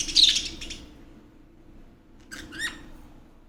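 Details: A lot of budgerigars in a travel cage set for transport give bright, high chirps and short warbling squeaks in scattered bursts while feeding and playing.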